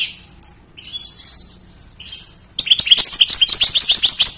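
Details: Goldfinch in lively full song, recorded as a tutor track for training other songbirds: thin high drawn whistles and short twitters, then a loud, fast, tinkling trill of rapid repeated notes running to the end.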